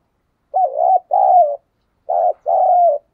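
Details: Spotted dove cooing to stimulate other doves to coo, its soft hollow hoots given in two paired bursts about a second and a half apart, each pair a short wavering note then a longer falling one, over a silent background.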